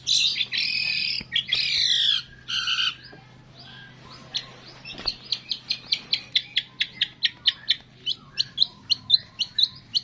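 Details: Long-tailed shrike singing a training song with copied calls of cililin, fighting sparrow, lovebird, tengkek and kapas tembak. Opens with several harsh, buzzy high bursts, a quiet pause, then a long series of short, clipped chips about two per second.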